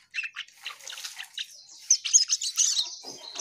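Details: Asian pied starling in lively song: chirpy chattering notes leading into a sustained high whistle laced with rapid squeaky trills, loud and continuous to the end.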